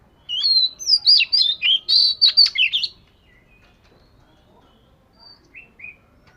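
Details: Scaly-patterned Oriental magpie-robin in daily song practice gives a rapid burst of bright whistles and twisting slurs for nearly three seconds. Quiet follows, then two soft, short whistled notes near the end.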